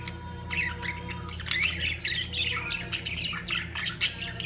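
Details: Budgerigars at the height of mating, chattering rapidly with dense overlapping squawks and chirps that grow louder midway, over a constant low-pitched background hum.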